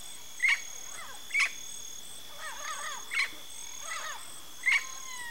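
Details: Yellow-faced parrot (Alipiopsitta xanthops), a Brazilian endemic of Cerrado and dry areas, calling: sharp, harsh single calls about once a second mixed with softer chattering notes, over a steady high insect hum.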